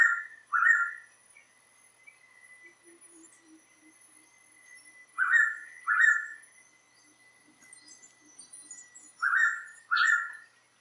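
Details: Blue Pitta giving its typical call in Tat Mok National Park, Thailand, a species that often calls late in the day from an elevated perch: three pairs of short, rich, slurred whistled notes spaced about four seconds apart, with quiet background.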